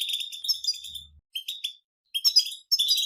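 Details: European goldfinches chattering as a group in batbata style, from nature, to coax a silent goldfinch into song: short bursts of high, buzzy twitters separated by clear gaps of about half a second.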